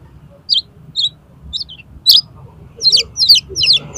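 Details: Oriental magpie-robin song for training competition birds: a few spaced, thin high whistles, a sharp accent, then a rapid cascade of steep, scratchy descending notes.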